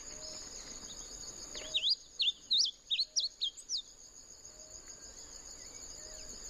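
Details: Bunting singing: a quick run of about seven short, sharp whistled notes, each sweeping up or down, lasting two seconds, over a steady high insect-like hiss and quiet background.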